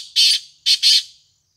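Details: Black francolin uttering three loud, coarse, rasping notes, one long, then two in a quick pair after a short gap; nothing else audible.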